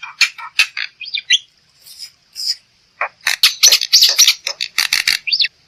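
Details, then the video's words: Black-winged myna song played to coax other birds into singing: scratchy chatter and brief whistled slurs, a short gap, then a dense loud stretch of rasping, rattling notes ending in a rising whistle. "Suara Burung Jalak Putih || untuk pancingan"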